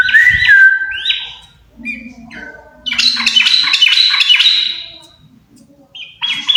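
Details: A pair of yellow-vented bulbuls in energetic song: pure whistled phrases, then a dense run of rapid bubbly, jumping notes, a pause, and another brief whistle at the end.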